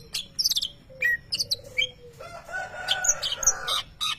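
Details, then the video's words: Contest-winning greater green leafbird imitating a lovebird: scattered high chirps and short trilled bursts, then a blurred stretch of mixed noise and tones before more sharp high notes. "Cucak ijo nembak suara Lovebird"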